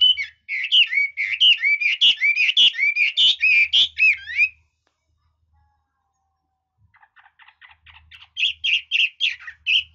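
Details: Red-whiskered bulbul in varied song: a fast run of rich, slurred whistled notes for about four seconds, then a long silence, then quieter chattering notes building back into loud whistled phrases.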